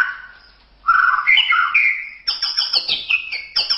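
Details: White-rumped shama masteran song: a burst of mellow, varied warbled whistles, then a rapid series of sharp, high, chipping notes repeated in quick succession.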